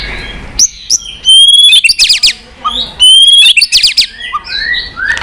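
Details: White-rumped shama singing in many voices to stimulate other shamas: sustained high whistles broken by sharp clicks and snapping notes, with softer whistles behind.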